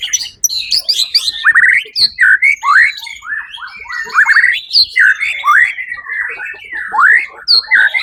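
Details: At a songbird competition, the Suara Agung event of 1 October 2023, the winning white-rumped shama sings a long series of loud, slurred whistles, many swooping down then up, delivered in quick separate notes.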